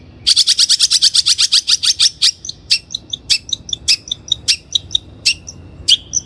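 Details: Long-tailed shrike (cendet) as a lure for training birds: a fast run of about twenty sharp, dry chattering notes in two seconds, then slower scattered clicks and chips with short whistled tones between them.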